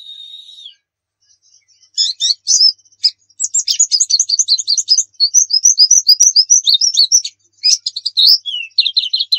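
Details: Tutor recording of a pleci dakun white-eye from Pacitan: a thin level whistle, then after a pause long stretches of rapid, high twittering notes with varied slurs, barely pausing.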